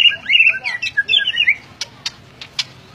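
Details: White-rumped shama singing: rich, varied warbled and whistled phrases in the first second and a half, then a few sharp clicking notes spaced about every quarter to half second.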